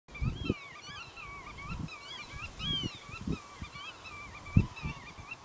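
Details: Male black-tailed godwits fighting in a meadow over nesting territory while females watch from a distance: repeated nasal, wavering calls from several birds overlapping throughout, with low thuds and rustling from the scuffle and wind.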